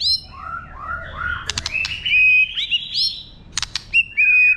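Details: Singing White-rumped shama, wild-style song to stimulate birds: a rising series of warbled whistles climbing in pitch, sharp clicks, and closing level whistled notes.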